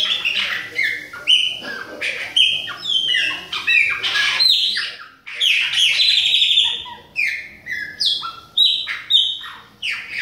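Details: Bahian-type Chopi blackbird singing a loud, rich, continuous song of varied whistled and chattering notes, with many sharp downward-sliding phrases and clear fluty tones, jumbled closely together with barely a pause.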